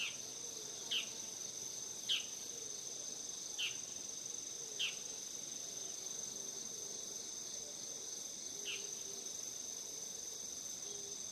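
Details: Bull-headed shrike calling beside a house on 17 September 2020 on its autumn arrival; it returns each year when chestnuts ripen. Five sharp, harsh, downward-slurred notes come at uneven gaps over a steady high insect chorus.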